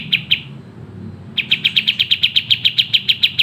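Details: Sooty-headed bulbul in full, fast, dense song for training other birds: two sharp chirps, a short pause, then an unbroken run of rapid identical chirps at about seven per second, with a faint low hum behind.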